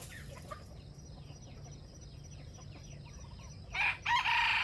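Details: Small birds chirp in rapid, thin, repeated notes for several seconds before a wild junglefowl near a bait trap bursts in with a loud, raspy two-part crow at the end.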